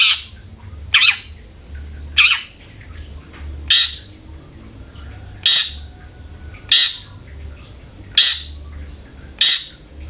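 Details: Long-tailed shrike lure sound for prompting a kept bird to sing: harsh, rasping broadband calls repeated roughly every one and a half seconds over a steady low hum.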